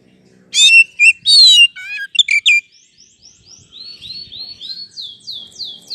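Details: Oriental magpie-robin song used to provoke a quick response: loud varied whistles and harsh buzzy phrases open, followed by a fainter series of short falling whistled notes repeated about once a second.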